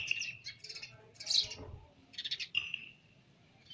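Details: Young sparrow giving sharp, high tweets in uneven bursts of about four or five, with a thin whistled note between them and a soft low thump midway.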